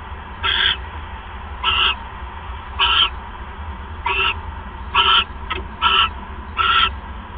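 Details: Harsh, hoarse screeches from an owl at the nest as a mouse is brought in, evening of 1 January 2015. Seven short rasping bursts come at slightly uneven intervals of about a second, with a constant low background hum.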